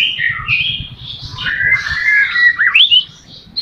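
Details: White-rumped shama song played to make captive shamas sing: rich whistles and slurred phrases, ending with a quick upswept note.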